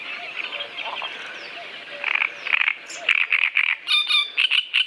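Great Reed Warbler song: loud, harsh, croaking syllables repeated in quick grating bursts, rising from a faint background chorus after two seconds.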